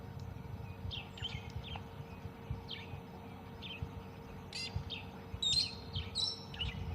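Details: Brown-headed parrots at dawn on a morning game drive in a South African private game reserve on 2 June 2020: sharp, squeaky squawks over a low vehicle engine rumble.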